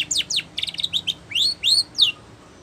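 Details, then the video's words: Spanish Timbrado canary song for training: a few quick falling notes and a stuttered burst, followed by three separate rising whistled sweeps. "Canary Singing / Spanish Timbrado song For Training"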